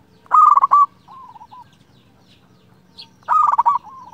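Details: Local zebra dove, a frequent singer with a clear voice, singing to call a rival: two loud, rapid, stuttering coo phrases about three seconds apart, each trailing into softer, wavering coos, over a quiet low hum.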